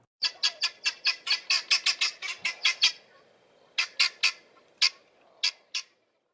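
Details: Helmeted guineafowl (Numida meleagris), a common Eastern Cape, South Africa bird, gives a rapid run of harsh, grating cackles, about four per second, then a few spaced single squawks after a short pause.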